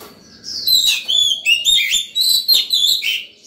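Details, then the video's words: Excited Oriental magpie-robin singing in the morning to call other birds and train young birds. It gives loud, varied whistles and quick slurred notes in about seven bursts, clear and melodious. "Chòe than vào lửa hót sổng buổi sáng, gọi bổi, tập chim non hay!"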